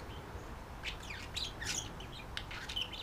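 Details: Indoor pet budgies, a guest female and a male, calling to each other and flirting at night settling; dense run of bright chirps and descending warbled notes filling most of the stretch.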